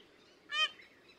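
A peafowl gives one loud, brassy, nasal honk, short and sharp, over a faint steady background hiss.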